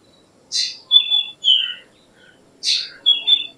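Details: Two matching song phrases of a black drongo, each a harsh buzzy burst followed by two or three clear whistles that drop in pitch, about two seconds apart.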